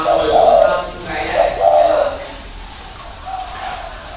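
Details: Spotted dove cooing in two low, hollow, slightly tremulous phrases in the first two seconds, then fading to faint coos over a noisy, roomy background.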